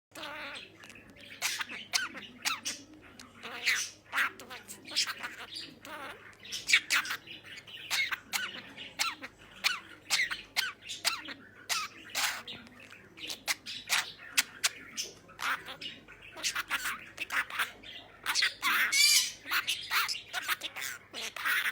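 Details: A young male pet budgerigar chatters in rapid, scratchy bursts, mixing in cough-like sounds copied from its owner's coughing.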